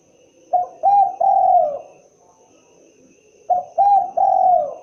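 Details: Spotted dove calling with its characteristic voice, two cooing phrases about three seconds apart, each a short note, a second note and a long sustained falling coo, low and mellow over a faint constant hum.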